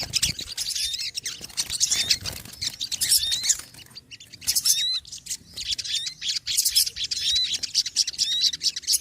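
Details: Small birds calling noisily: dense high chirps and short rising whistles repeated in bursts, with overlapping callers and a brief lull midway.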